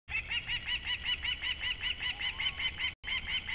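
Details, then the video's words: Osprey in Latvia, recorded 28 July 2012, calling in the background: a rapid run of short, arched whistled chirps, roughly two to three per second, held steadily across the clip with one brief cut near the end. "Latvian Osprey - July 28 - 2012 - call in the back"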